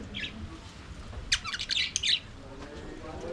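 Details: Budgerigars in their aviary while singing and playing: an isolated high chirp, a pause, then a quick cluster of scratchy, buzzy chirps and squawks lasting under a second, then quiet.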